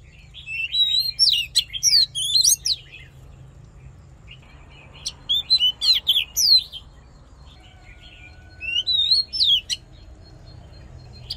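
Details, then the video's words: Voice-training fighting song from an Oriental magpie-robin: three separated bursts of sharp chirps, rising whistles and fast slurred notes, each lasting one to two seconds, against a steady low hum. "Hót Đấu Kích Trống Căng Lửa || Luyện Giọng Chòe Than"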